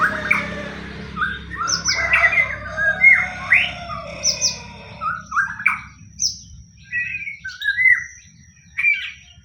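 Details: White-rumped shama singing, used to provoke other shamas; mixed chatter early, then well-spaced clear whistled notes and short slurred phrases at varied pitches across the clip.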